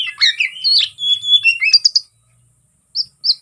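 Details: Oriental magpie-robin (kacer) in full, open fighting song meant to provoke rival birds: loud, varied whistled phrases sliding between high and mid pitch, a pause, then two short high whistles.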